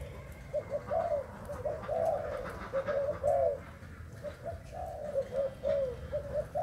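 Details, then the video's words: Spotted dove from Thailand giving soft, broken coos in uneven groups of short low notes, quieter and less regular, over a noisy background with some faint higher sounds. "Cu gáy thailand"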